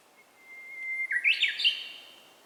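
Japanese bush warbler song: a long, steady whistled note that breaks into a quick, loud, rising flourish of clear notes, all within about two seconds.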